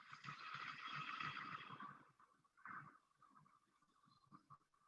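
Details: A Golden Bowerbird, a very restricted-range species of eastern Australia, gives a harsh, crackling buzz lasting about two seconds, like electric current, then fades to a faint hum against a quiet room.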